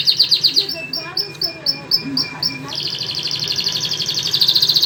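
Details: Song of two pet canaries, one white, one crested: rapid chattering notes, then a string of clipped repeated whistles with soft lower warbles beneath, ending in a loud, fast rolling high trill.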